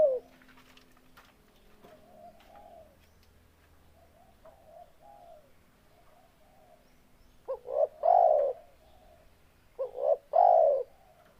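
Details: Spotted dove song: soft, distant low coos at first, then two loud close phrases of a short note followed by a longer hollow coo, near the end.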